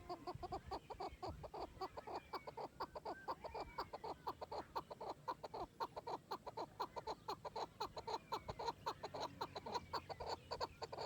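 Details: Chakor, or chukar partridge, giving a fast run of short clucking notes, roughly two per second, uneven and overlapping as if several birds call together, with a few thin rising whistles above.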